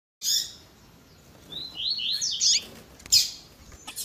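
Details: Double-collared seedeater, tui tui zel zel song style mixed with a female's calling, edited to excite caged males: sharp high chips, then a run of rising slurred whistles climbing in steps, ending in bright bursts.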